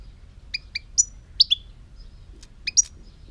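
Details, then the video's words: European goldfinch song from 2018: a loose run of clear, high twittering notes, some paired and some slurred downward, delivered over about two seconds, then a short gap and two more quick chirps. "chant chardonneret"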